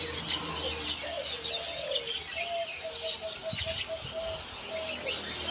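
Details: Zebra dove giving soft low cooing notes, then a run of short, evenly spaced staccato coos through the second half, over a constant high hiss of insects and chirping birds.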